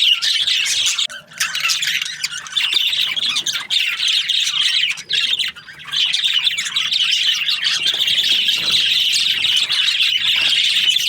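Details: Several budgerigars chatter in the morning, a constant high twittering mixed with sharp squawks and clicks, interrupted by a few short lulls early on before resuming at full density.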